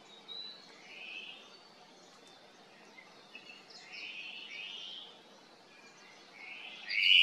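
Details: Hawaiian thrush (ʻŌmaʻo) calling to companions along the Kaulana Manu Nature Trail on Hawaiʻi Island: several soft, scratchy rasps, then a louder harsh note at the end, over faint high chirps.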